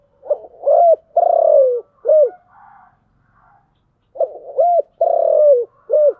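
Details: Spotted dove cooing in the thổ voice style known as chiêu gù: two low, hollow phrases of short looping coos and a longer drawn-out note, separated by a pause of about two seconds.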